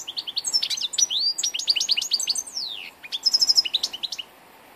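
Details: Continuous lively song of an old European goldfinch, dated 2 August 2014. Bright twittered notes, downward-sweeping whistles and buzzy high-pitched trills run almost without break for over four seconds, with one short pause near the middle.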